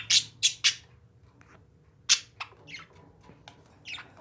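Parakeets give harsh, high chirps in a quick burst of three, then scattered squawks and softer chatter, indoors.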